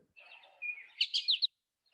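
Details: An American Goldfinch gives its potato-chip flight call, made while flying, often from high overhead: four quick, high, chippy notes in half a second ("potato chip chip"), after a soft, faint murmur. Recorded for winter birding and the Great Backyard Bird Count.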